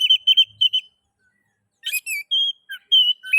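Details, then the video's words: Oriental magpie-robin (kacer) lure song meant to make other magpie-robins sing: quick clipped whistled notes in a rapid series, a pause, then varied slurred whistles and a sharp rising note. "Pancingan kacer ngeplay...cocok untuk merangsang bunyi kacer"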